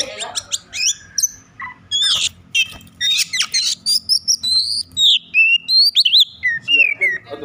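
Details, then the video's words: Agitated Oriental magpie-robin singing to provoke other magpie-robins into song: loud varied phrases of sharp chips, harsh notes and short rising and falling whistles, delivered in rapid bursts over a low background hum. "Kacer over emosi cocok untuk memancing Kacer lain agar bunyi dan gacor"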